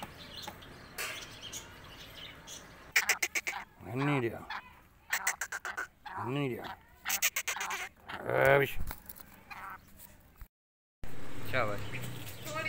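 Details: Black francolin, titled as a female's voice, giving harsh, grating bursts of rasping notes roughly every two seconds, alternating with lower, nasal honk-like phrases, with a brief cut near the end.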